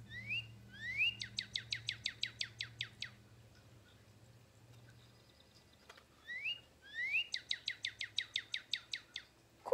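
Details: Northern cardinal song in two phrases, each opening with rising slurred whistles and then a fast run of about ten sharp, downslurred notes; a low hum underneath.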